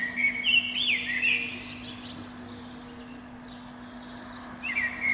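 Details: Morning song of a Eurasian blackbird perched high in a pine under a window in spring. A rich, tumbling fluty phrase is followed by a silent gap of about three seconds, then a new phrase begins. A faint hum runs underneath.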